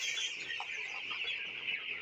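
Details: A crowded flock of broiler chicks kept through the winter keeps up a continuous high-pitched cheeping, countless thin calls overlapping evenly with no pauses.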